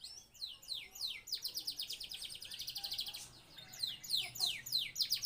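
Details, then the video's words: Male canary in breeding condition singing: fast rolling trills of high, rapidly repeated notes, shifting between sweeping, descending phrases and a dense, steady buzzy roll, continuous throughout. "suara burung kenari jantan birahi"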